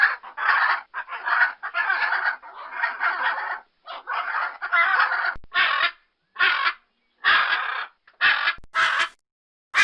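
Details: Blue-and-yellow macaw in a long bout of raspy, scratchy squawks, closely spaced at first, then spreading into separate harsh calls about a second apart.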